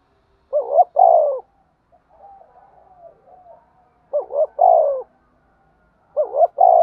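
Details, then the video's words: Spotted dove in fighting and calling mode gives three phrases, each a quick two-note rising coo then a long descending coo, roughly every three seconds, with soft distant cooing between. "cu gáy thúc đấu & gáy gọi"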